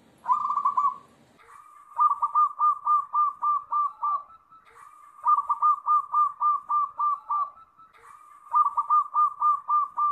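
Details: Zebra dove, local type, delivering repeated song phrases: a long introductory note followed by rapid, evenly spaced hooked coos, about four phrases in ten seconds, clear against a quiet background.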